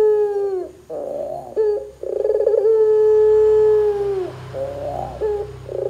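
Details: Barbary dove's vigorous calling, used to prompt other doves to join in: a falling coo, a rolling purr, then a long, even, hollow coo that slides down at the end, with a faint low hum behind.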